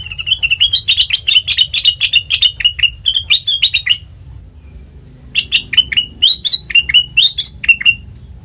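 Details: Black-crested bulbul song as a lure for trapping: two long bursts of rapid, bright chirps with warbling rises, separated by a one-second silence, over steady low hum.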